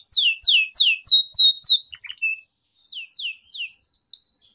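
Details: Canary tutoring song for young birds to learn from: a series of high downward-slurred whistles, about five a second, then a short gap and further sweeping notes ending in a rising whistle.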